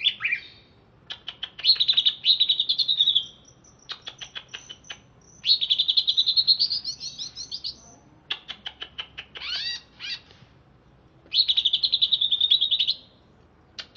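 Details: Alas Purwo greater green leafbird from Banyuwangi, just bathed, singing a lively varied song: repeated high rattling warble bursts alternating with quick runs of sharp chips and a few swooping slurred notes.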